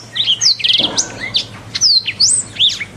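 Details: Canary master song used to tutor other canaries: rapid sequence of high whistled sweeps, a fast rolling trill burst and sharp rising and falling notes, loud and close, with a faint low hum underneath.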